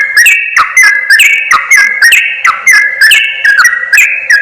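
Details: Wild-bird trapping lure of yellow-vented bulbuls: loud liquid whistles in jerky bursts, pitch jumping between two levels, with brief gaps and sharp clicks between phrases.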